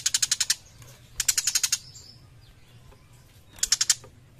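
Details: Young tiger shrike in energetic song: three bursts of rapid, scratchy clicking notes, six to eight per burst, spaced about a second apart, over a low constant hum.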